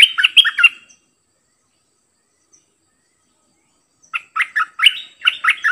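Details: A decoy bulbul sings a varied repertoire, doubling its phrases. A fast burst of liquid warbled notes is followed by a silent pause, then another lively rising-and-falling run of chirpy notes.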